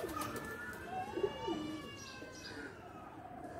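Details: In a loft where pigeons are playing, one low throaty coo rises and falls, with a thin steady whistling tone and background hum behind it.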